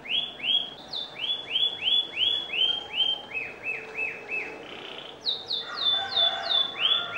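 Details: Lively singing canary used as a lure song to prompt other canaries to sing: bright upswept whistled notes repeated about three per second in runs that step down in pitch, then a higher run of rising notes near the end.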